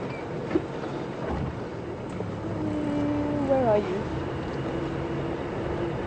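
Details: A hornbill whistling in the background during an afternoon safari drive at Djuma Game Reserve on 8 February 2015, with two in a tree, gives soft, drawn-out whistles, level then dipping in pitch, over a steady vehicle engine rumble.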